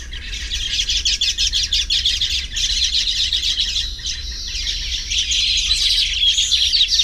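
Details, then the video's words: Baya weavers calling while nesting keep up a dense, high chatter of overlapping buzzy chirps and wheezy sizzles, many birds calling together without pause. "The Baya Weaver’s Amazing Nests | Tropical Birdlife Sounds"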